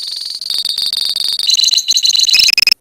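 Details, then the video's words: Rapid, shrill, evenly pulsed trilling from a colony of lovebirds in ngekek song, the pitch stepping slightly lower midway and ending in a few sharp chips. "KICAU LOVEBIRD KOLONI INI TERBUKTI HANYA BUTUH WAKTU 4 MENIT SAJA LANGSUNG NGEKEK"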